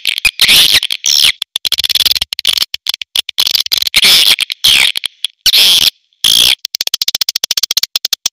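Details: Loud, shrill swiftlet chatter from a premium calling sound, dense buzzy twittering interleaved with rapid dry clicks and brief silent gaps.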